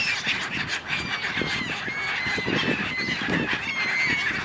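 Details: Gulls arguing in a big flock by the River Dnipro in Kyiv, Ukraine, in winter, giving a continuous chorus of harsh cries and thin drawn-out whistled notes.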